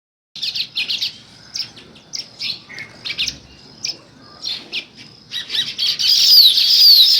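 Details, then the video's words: Sparrows chirping in the morning: bursts of short, bright, high chirps come in clusters roughly every half second, with a denser, louder run of rapid twittering at the end. "Sparrow Morning Chirping Sounds"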